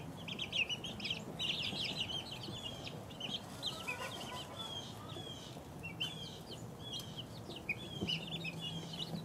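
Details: Chorus of two-week-old chicks, rapid shrill peeps tumbling over one another, busiest in the first seconds, then thinner scattered cheeps; a faint low drone runs beneath.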